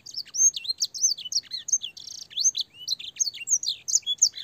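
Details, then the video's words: Clear canary song used to train young canaries, mixed with blackthroat and sanger phrases: bright looping whistles, quick chips and one short buzzy rattle, delivered in a lively stream. "burung kenari gacor panjang full isian blackthroat dan sanger suara jernih masteran kenari paud"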